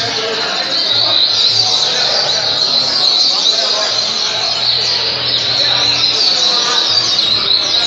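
A double-collared seedeater sings a rapid, unbroken stream of high, bright twittering notes, with a busy background hum throughout.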